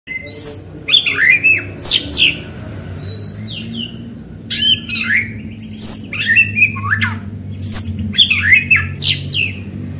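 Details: White-rumped shama in full song, used to provoke other shamas into singing: varied loud whistled phrases with sharp rising and falling sweeps and slurred notes in bursts separated by short pauses, over a steady low hum.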